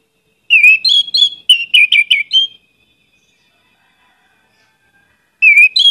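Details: Orange-headed thrush singing a lure song full of varied phrases: a rapid burst of clear, high whistled notes with sharp slurred chirps, pausing about three seconds before another phrase starts.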